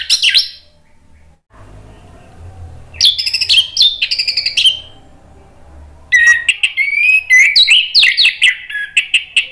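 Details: Orange-headed thrush singing, used as a lure to make a bird that has stopped singing answer back: a brief whistle, a low murmur, then two lively bursts of quick, looping whistled phrases with sharp high accents.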